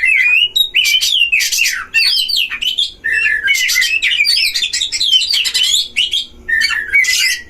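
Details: Caged Oriental magpie-robins duelling at a bird farm, used to provoke other magpie-robins: loud, continuous song of rich varied whistles, rising and falling phrases mixed with harsh squawky notes, delivered rapidly with brief pauses.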